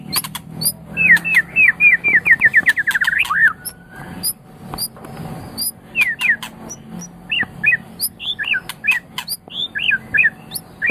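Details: Medan white-rumped shama, a champion bird, singing to stimulate others: a quick buzzy run of whistled notes, then scattered sharp clicks and short high slurred whistles with pauses.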